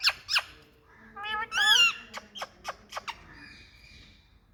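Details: Indian rose-ringed parakeet: two sharp descending screeches, then a wavering harsh squawk, several quick clipped notes, and a faint thin trailing call.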